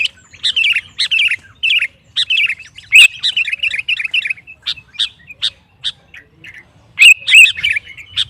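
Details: Sooty-headed bulbul singing energetically, sung to provoke rival bulbuls into singing: bursts of bubbly, slurred chirping warbles mixed with sharp high chip notes, pausing briefly between phrases.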